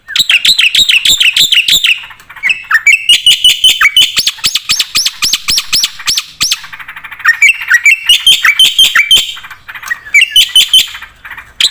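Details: Black-winged starling in lively 'full isian' song, alternating fast repeated slurred notes with clusters of sharp upswept chips and scratchy chatter, with short pauses between phrases.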